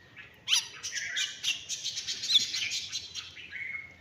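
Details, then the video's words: Myna giving a harsh, scratchy burst of chattering notes that starts suddenly and runs for about three seconds, ending in a thinner drawn-out whistle-like note; otherwise quiet. "Cute myna sound"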